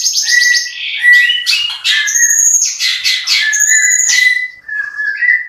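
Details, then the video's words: Long-tailed shrike singing a rich song full of mimicked fill-in phrases, harsh notes and rapid rolling bursts; varied whistled and buzzy high notes with steady whistles near the lower edge, tumbling in near-continuous phrases with short gaps. "BURUNG CENDET GACOR MEWAH ISIAN KASARAN DAN TEMBAKAN ROLL SPEED"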